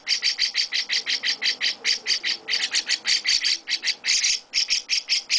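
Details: Chestnut-cheeked starling chicks, hand-fed by their owner, keep up an insistent stream of scratchy, buzzy chirps, about four bursts each second with hardly a pause, no other sounds.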